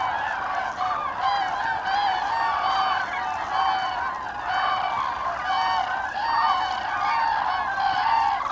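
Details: Migrating common cranes passing over Hesse, Germany, on 25 October 2021 in autumn: loud, rolling trumpeted calls from many birds overlapping, with clear ringing notes rising above the flock chorus about once per second.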